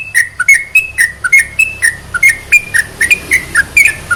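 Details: Sooty-headed bulbul song played to excite other bulbuls into singing: a steady string of clear, slightly slurred whistles, rising and falling note to note, about four each second over a low background hum.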